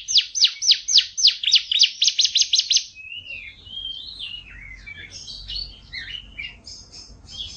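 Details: Canary song from an egg-laying bird: a quick series of sharp downward chirps for three seconds, then softer warbled twittering notes with faint low background rumble.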